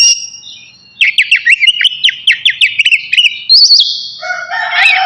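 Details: Navy oriental magpie-robin singing before its bath: a soft opening whistle, then a rapid series of repeated sharp downslurred chirps, a higher whistled phrase, and a lower harmonic call at the end.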